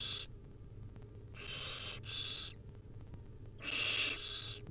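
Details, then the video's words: Wild barn owl babies begging while fed tiny pieces by their mother; a hissing screech, then a close pair of rasping screeches, then a louder drawn-out one, against a low background hum. "Hungry baby barn owl nestling get fed tiny bits by their Mom."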